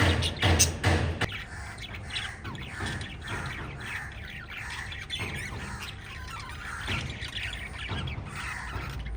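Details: Five lovebirds of a parrot family: a loud burst of harsh squawks and rustling in the first second, then steady rapid high chirping chatter with a low hum.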